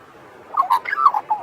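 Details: Australian magpie carolling by the sea: a short burst of mellow, warbling notes around a mid pitch. The phrase starts after a pause and ends with a brief falling note, against faint background hiss.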